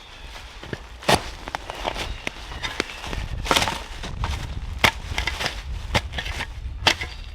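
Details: Repeated woody knocks and chopping thuds with rustling, like outdoor work, and no animal calls.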